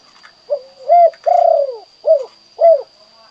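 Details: Spotted dove in kuk 2 style: a soft intro, an upswept coo, a long descending coo, then two short clipped coos in quick succession, with a faint background murmur and constant whine.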